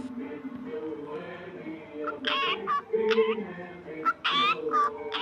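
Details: A cockatiel (Nymphicus hollandicus) sings in bursts of bright, warbling chirps over steady background music.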